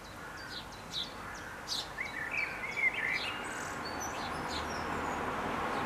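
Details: Young house sparrows (Passer domesticus) being fed by their parents give quick, high chirps in loose bursts, several overlapping over about three seconds, against a steady hiss of background noise.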